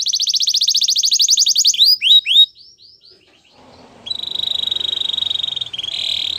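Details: Canary singing a training song: a fast buzzy trill held high, then a few slurred descending notes, a short pause, and a steady high-pitched rolling trill to finish.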